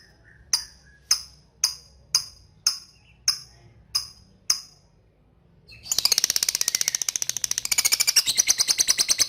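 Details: Lovebird sounding eight evenly spaced sharp 'ngetik' ticks about half a second apart, then breaking into a fast, loud, high chattering 'ngekek' trill.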